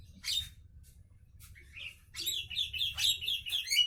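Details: Javan myna heard in the morning, starting with scattered squeaks and a brief whistle, then breaking into rapid, scratchy chattering that grows louder and denser toward the end.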